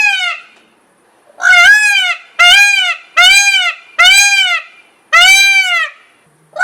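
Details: Peacock yelling: a fading first scream, then five loud, harsh, arched harmonic cries repeated roughly every seven-tenths of a second. A further call begins at the very end.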